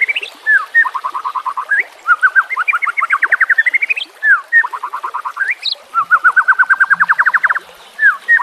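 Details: White-rumped shama in a 'nembak kasar' training recording for teaching captive birds to sing, with water sounds in the mix. Fast, evenly spaced trills alternate with upslurred whistles, in bursts that repeat across the stretch.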